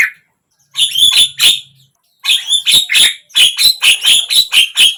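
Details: Javan myna, meant to get a silent bird singing; rhythmic harsh scratchy notes in groups, speeding into a steady run of about two notes per second.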